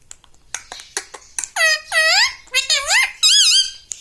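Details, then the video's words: Pet parrot speaking indoors, mimicking mummy, papa and radhe radhe; a few clicks, then four loud squeaky, bending word-like syllables in quick succession. "Mummy vala parrot || parrots talking papa || me tota vala parrot"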